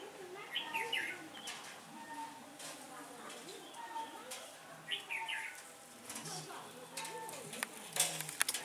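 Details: Red-whiskered bulbul during trapping on 15 October 2017, a day of shifting wind: short, cheerful warbled phrases repeated roughly every two seconds, with rustling, knocks and clattering noises around them.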